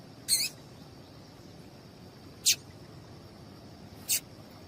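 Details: Calls of a female double-collared seedeater, used to make males sing: a slightly longer buzzy chip followed by two thin, quick high notes spaced under two seconds apart, against low background hiss.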